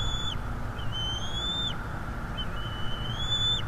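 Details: Male bald eagle at a northeast Florida nest, recorded by a live nest camera while defending against an intruder: high, thin whistled notes, each short pip drawing into a long, slightly rising whistle, repeated three times over steady low background noise.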